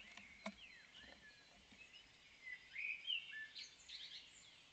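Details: A Common swift colony at Spiez gives thin, shrill, high screams. Faint sweeps at first give way to louder overlapping bursts in the second half, over steady background hiss.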